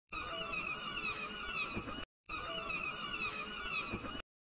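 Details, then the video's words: Gulls crying: a dense layer of harsh, wavering cries over steady bands, the same two-second passage heard twice with a brief silent gap. "bruit de MOUETTES 🐦 (crier)"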